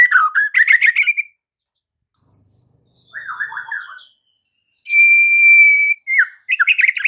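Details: White-rumped shama master song used to train caged birds: a chattering rush of notes, a pause, a buzzy trill, then one long level whistle and a burst of rich phrases.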